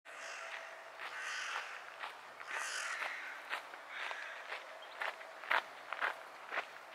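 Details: A hooded crow (Corvus cornix) in Tivoli Landscape Park, Ljubljana, on 12 September 2022, gives harsh, grating caws in an irregular series of short bursts, with footsteps and sharp clicks nearby.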